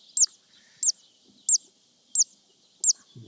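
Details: At Urdaibai, Spain, on a live wildlife stream on 21 July 2021, a Zitting Cisticola gives five sharp, high 'zit' calls at an even pace, about one every two-thirds of a second, ending with a brief low rumble.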